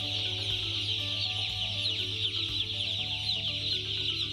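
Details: Crowd of broiler chicks giving constant shrill peeps, countless brief high cheeps blending into an unbroken chattering wash, with a steady low droning hum underneath throughout.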